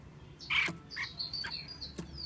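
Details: Female Chinese hwamei making a few short, bright chirps, one fuller burst followed by quicker thin notes and a faint high whistle, over a low background hum.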